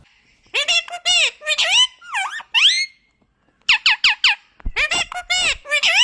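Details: Talking parrot kept indoors, speaking in rapid bursts of harmonic, speech-like syllables with rising and falling inflections, grouped in runs separated by short pauses.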